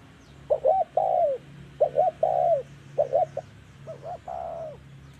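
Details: A spotted dove, filmed in a trapping setting, coos in a repeated phrase, two short hoarse notes then a longer falling coo, every one to one and a half seconds, over a low background hum.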